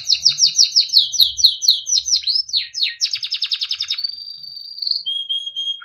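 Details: Timbrado canary training song: a rapid run of repeated falling notes, swooping slurs, a fast pulsing trill, then two long level whistles at different pitches.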